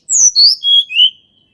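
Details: Sunda robin, natural song meant to stir reluctant birds into singing: four loud, clear whistled notes, each lower than the last, sliding from very high to a lower, slightly rising final whistle, in a quiet setting.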